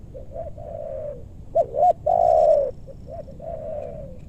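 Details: Spotted dove coos during bird luring in a meranti forest in West Bogor, Indonesia: low, mellow phrases of two short rising notes followed by a long, drawn, slightly falling coo, repeated several times with faint high ticks.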